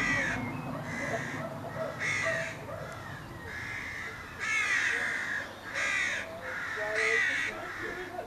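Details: Crow cawing in May 2022: loud, harsh, hoarse caws repeated roughly once a second in an uneven series, with faint answering calls and a low background hum.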